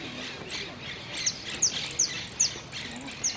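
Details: Hooded siskin at a singing competition in Quilmes on 2 December 2017, placed third in the 'amarillo sin cierre' category. Thin, high whistled notes slide downward in quick bursts, ending in a fast ringing trill, with other birds and faint voices behind.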